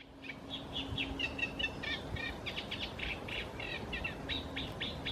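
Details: Eurasian reed warbler singing at Bieslandse Bos on 25 July 2016: a steady chattering run of short, scratchy repeated notes in quick rhythmic groups, with a low steady hum underneath.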